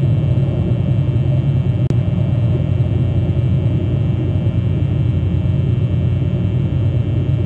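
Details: Loud, steady traffic rumble with a deep engine drone and one brief sharp click, with no animal calls.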